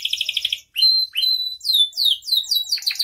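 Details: Canary singing at full strength with a varied repertoire, used as tutor and lure song: a quick pulsed roll, sharp rising whistles, then a run of rapid descending chirps repeated in a tumbling series.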